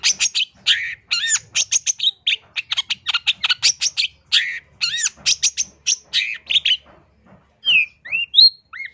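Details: Long-tailed shrike singing nonstop with a full repertoire, used as a master recording for training or luring: a fast stream of sharp chirps and rising whistled notes, slowing at the end into a few separate upward-slurred whistles.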